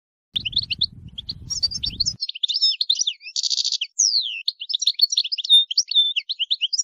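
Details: European goldfinch song: a rapid, tinkling run of high twittering notes with quick slurred whistles and a brief buzzy trill, with a low rumbling sound during the first two seconds.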